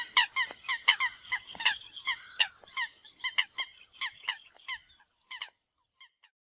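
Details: Coots contest territory and the right to mate on Floating Island Lake, Yellowstone National Park; a fast, uneven string of clipped, nasal, harmonic calls that thins out and trails off into silence.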